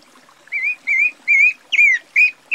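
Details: Pale-breasted Thrush (Turdus leucomelas), Brazil, singing a run of short, clear whistled phrases. Each phrase warbles up and down and lasts about a quarter second, separated by brief pauses, with a quiet background.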